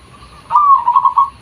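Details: Local zebra dove, recorded as a natural lure sound, giving one trilled cooing phrase: a steady mid-pitched note that breaks into a quick run of rapid pulses, about a second long, over a quiet background.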